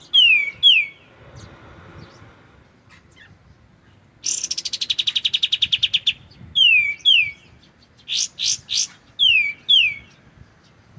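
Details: Clear white-shouldered triller song for training magpie-robins: pairs of downward-slurred whistles, a long fast chattering trill of many chirps, then more slurred whistles and rasping double notes, repeated over several seconds.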